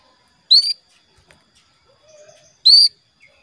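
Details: A female canary calls to a male, a lure for getting males to sing: two loud short rising notes with rich harmonics, about two seconds apart, with faint soft twitters between.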